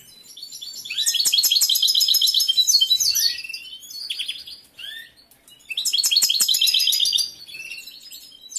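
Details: Caged male European goldfinch in full breeding condition, a competition bird with a large repertoire, singing to an unresponsive female: two long bursts of rapid, high, tinkling twitters and buzzy trills separated by a brief pause.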